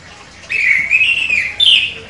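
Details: Contest-winning chestnut-capped thrush delivering a sharp song. A smooth wavering whistle holds steady, then a higher clear note rises briefly and fades, ending in quiet.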